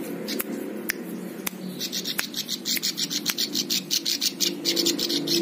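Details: Tutor song of a plain prinia for training cage birds: a few clicks lead into a continuous run of rapid, high, rasping chirps, over a low humming background.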